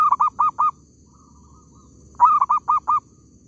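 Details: A zebra dove in an oil palm plantation, recorded during bird trapping, gives two bursts of four or five quick, clipped, mid-pitched cooing notes, separated by a pause of about a second and a half; faint background hum.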